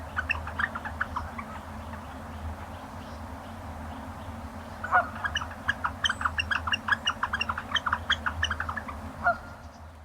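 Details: Northern Flicker giving the squeaky, rhythmic wicka-wicka call used when flickers are close to one another, a burst early on and a longer run of rapid repeated notes in the second half, over a low steady hum.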